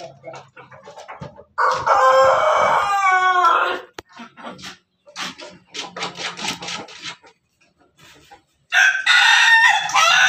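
A laughing chicken rooster crows twice, each crow a loud harsh burst breaking into a rapid stuttering, laugh-like run. Softer clucking notes fall between the crows.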